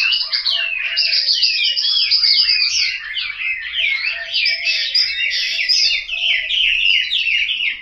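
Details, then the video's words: A home-kept Chinese hwamei in Hanoi delivering a bright, fluid warbling song of looping whistles and quick trills, steady and loud for the whole stretch. "Họa mi"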